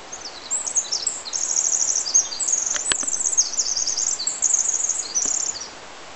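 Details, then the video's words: 'Pacific' Winter Wren singing at Lewis Creek, Sierra National Forest, California: a long, very high, tumbling song of rapid trills and tinkling notes for about five seconds, with faint background hiss. "Winter Wren"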